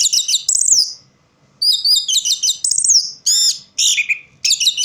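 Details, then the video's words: In dim surroundings, an orange-headed thrush sings dense, rich phrases of rapid warbled notes and clear high whistles, with a falling slur and one pause before the song resumes. "Burung Anis merah bunyi tanpa bayangan"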